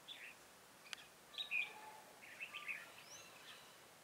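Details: Decoy red-whiskered bulbul singing at a trap set to catch wild birds, January 2018: a quick run of clear warbled notes, then a second looping phrase about a second later, over faint outdoor hiss.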